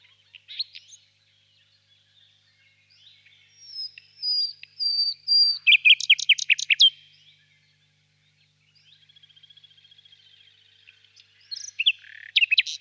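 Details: ['Distant nightingale song in a birch grove on a warm spring evening: scattered chirps, a run of long high whistles, then a loud rapid burst of clipped notes, a soft fast rattle, and more sharp chirps.']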